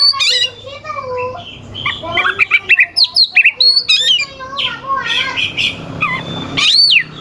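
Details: Oriental magpie-robin in full song, used to provoke rival birds into singing: a rich jumble of sharp whistles, harsh rasping notes and quick rising slurs, with a fast burst of repeated clipped notes midway and a steady low hum beneath.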